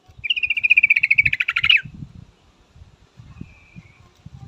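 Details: A female yellow-vented bulbul calls for a male with a fast, high chattering trill of about twenty pulses that drops slightly in pitch and ends abruptly, then low thumping noises continue.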